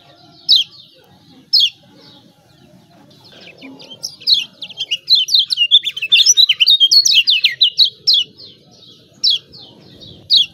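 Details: Lemon-bellied white-eye (kecial kuning) from Lombok, a lure recording for birds reluctant to sing: sharp descending 'ciak' chips about once a second, then a fast twittering run of high chirps, before the chips resume.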